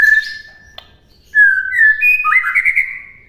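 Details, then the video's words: White-rumped shama song, a master recording meant to be easily imitated by other birds: a long level whistle, a pause, then loud, clear whistled phrases that rise and fall, ending in a quick warbled flourish. "MASTERAN MURAI BATU MUDAH DI TIRU AUTO LANGSUNG LATAH"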